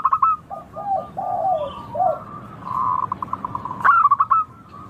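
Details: Local zebra dove singing in a clear, crystal-toned voice: low wavering coos, then a run of rapid staccato notes and a quick bright trill near the end, with a faint hiss behind.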